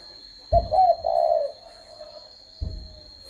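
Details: A single rolling coo from a spotted dove: a sharp onset, a wavering throaty middle and a softer trailing note, followed by a faint low thump near the end.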